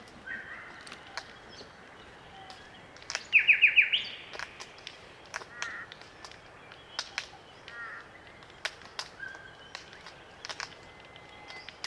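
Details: Glossy Black Cockatoos, a small wild flock feeding on Allocasuarina cones in bush of the Macleay River valley, NSW, Australia, give a loud harsh grating call of quick repeated strokes, then softer creaks, over steady clicking from cone-cracking.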